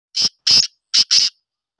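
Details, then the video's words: Black francolin calling in winter, recorded 10 November 2023: four harsh, scratchy notes in two quick pairs over a second and a half, against a silent background. "کالے تیتر کی سردیوں کی خوبصورت آواز"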